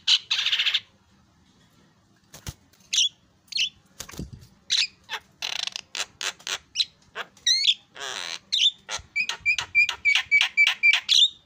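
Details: Javan myna, lure song used to draw loud excited calls from other mynas; after a harsh rasp and pause, sharp clicks and noisy bursts build into a dense run of scratchy notes and quickly repeated short whistled chirps.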